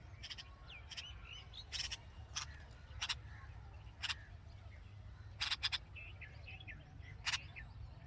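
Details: Red-vented bulbul nest with hungry nestlings and their mother: soft, short high chirps scattered through the recording, broken by sharp broadband clicks and knocks, over steady low rumbling background noise.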